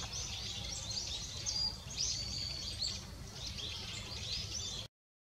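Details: Wintering-season goldcrest, recorded 22 December 2017, uttering high, thin, quickly repeated tsee notes in short bursts over soft background noise before the sound cuts off.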